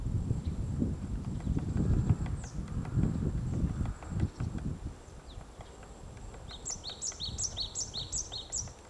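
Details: A White-backed woodpecker chisels a nest cavity in a tree at Gongsanseong Fortress, Gongju, Korea, in March 2024. Rapid, irregular woody knocks fill the first five seconds, then fade while another bird repeats a thin high phrase.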